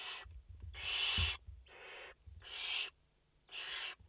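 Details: Rasping, breathy screeches from barn owl chicks in the nest, five young present, late August 2021; five noisy bursts of uneven length with irregular gaps, plus a faint low rumble.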